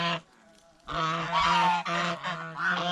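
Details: Goose eating bread and fresh vegetables at a fish pond, giving loud, harsh, drawn-out nasal honks after a brief pause, one call sliding upward mid-note, the honks running nearly together.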